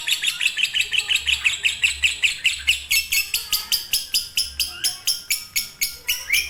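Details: Fighter lovebird singing konslet style, a master for reluctant singers: a sequence of harsh, high chirps, about three per second, growing louder and more emphatic after the first few seconds.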